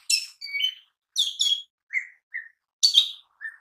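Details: Mini green leafbird singing as lure and training material for other birds: alternating high buzzy chips and lower clear whistled notes, delivered in quick pairs with short silences between.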